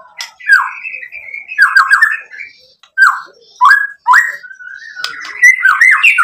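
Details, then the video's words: White-rumped shama (murai batu) song used as a lure to provoke other birds into answering: varied rich whistled phrases, slurred rising and falling notes with harsh chattering edges, short pauses between bursts, continuous mixed phrases toward the end. "SUARA MURAI BATU Untuk Memancing BUNYI jadi NYAUT GACOR"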